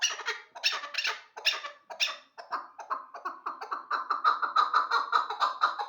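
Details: Hybrid hunting chukar partridge; several harsh, raspy bursts with short pauses, then a quickening, rising series of clucking chuck notes building into continuous chatter.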